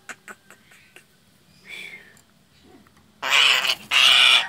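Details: Frightened Nias hill myna, recorded for luring birds: a few faint clicks and a soft rasp, then two loud, harsh, broadband screeches close together at the end.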